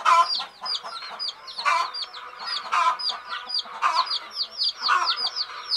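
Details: Sleepy hen chicks give a busy chorus of shrill, downward-curving peeps, several birds calling at once, with fuller, lower pulses of sound rising and falling about once a second.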